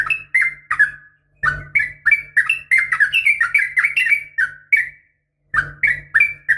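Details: Caged-training lure of a female sooty-headed bulbul calling a male, for morning and evening use: a lively run of short bubbly, slightly rising whistled notes, tumbling quickly one after another, with two brief pauses and a soft hum.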